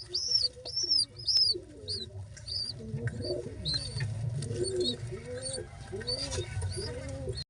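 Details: Baby pigeons being fed, giving repeated arched squeaky begging notes high up plus lower wheezy rising-falling cries about twice a second, over a steady low rumble.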